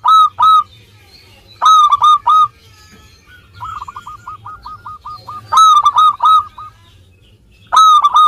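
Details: Local zebra dove singing vigorously, played to coax idle birds into song: loud clipped ringing notes in bursts of three or four, alternating with softer rapid rolling trills at a similar pitch, separated by short quiet gaps.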